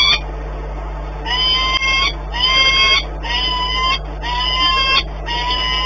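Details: Nesting peregrine falcon in Płock, Poland, on 18 March 2021, during the start of incubation, startled by noise, gives five drawn-out, harsh, wailing calls of about a second each, in close succession over a constant low hum.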